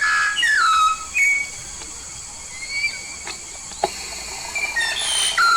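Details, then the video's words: Yellow-faced myna from Papua, a lively singer, giving a few falling whistles and short flat notes, with quiet gaps and a couple of clicks between, over a continuous high hiss. "burung jalak paru kuning"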